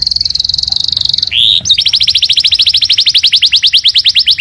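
A canary sings a high, fast trill, gives a brief squeak, then breaks into a long run of rapid, rising-and-falling sweeping notes, about ten a second.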